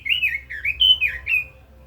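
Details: Fluty, warbling phrase from a caged Red-billed leiothrix: a rolling sequence of rising and falling whistled notes, one clear high whistle in the middle, over a low continuous hum.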